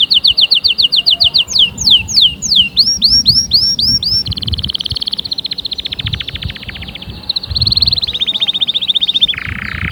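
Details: Strong canary song aimed at spurring canaries to sing. Rapid repeated notes turn into slurred upswept whistles, then a long buzzy rattle. A high steady trill follows, ending in a lower buzzy note.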